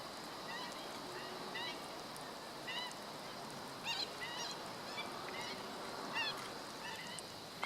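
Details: Black-winged stilt recorded on 17 August 2013: short, nasal, yelping notes come singly and in quick pairs at irregular intervals, partly buried under a constant loud rushing background noise.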